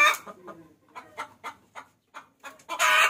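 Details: Hen calling the rooster as a lure: a squawk, spaced soft clucks about every quarter second, then a loud rough squawk at the end.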